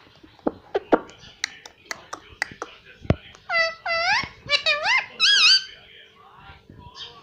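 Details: Pet Indian ringneck parrot indoors copying its owners' words. Sharp clicks and taps come first, then a run of high, wavering, speech-like syllables, and faint room noise throughout.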